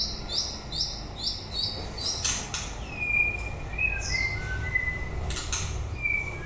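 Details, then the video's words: White-rumped shama singing at the end of the breeding season: a run of four quick descending whistles near the top, then drawn-out clear whistles at mid pitch with scattered clicks and low background hum. "Chòe lửa bông hót cuối mùa sinh sản"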